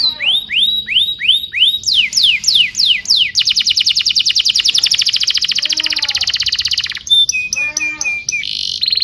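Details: Song of a domestic canary used as a tutor recording for young canaries: looping upswept whistles, then a long rapid trill of evenly repeated notes, ending in ringing whistled tones over soft rattles.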